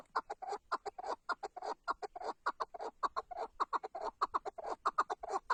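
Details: A Tatar chukar partridge repeats throaty, clucking chuk-chuk notes in a dense, slightly irregular stream, each note strong and rasping.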